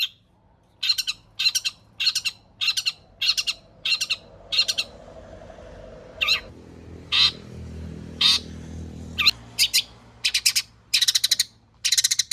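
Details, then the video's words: Long-tailed shrike used as a singing lure: harsh, buzzy notes repeated roughly twice a second in a steady series, later spaced single rasps and short doubled bursts, with a low rumbling hum in the background. "burung cendet gacor FULL ISIAN pancingan Cendet AGAR BUNYI Cendet Bongkar Materi"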